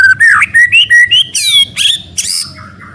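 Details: Loud white-rumped shama song for training, with a string of rising whistled slurs followed by harsher buzzy notes and a soft falling tail.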